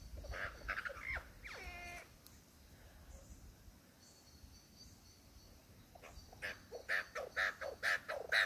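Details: Male superb lyrebird in the Dandenongs performing his repertoire of songs and sounds to court a female: a falling harmonic stacked call, a quiet pause, then a run of sharp, bright notes repeated roughly twice a second over faint rural background.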